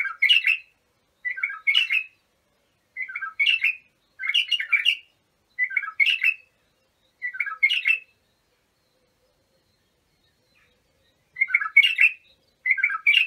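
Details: White-eared bulbul (abu shuaib) song, used for tutoring young bulbuls: short, bright, warbled phrases repeated about every second and a half, then a pause of roughly three seconds before the phrases resume, over a quiet background.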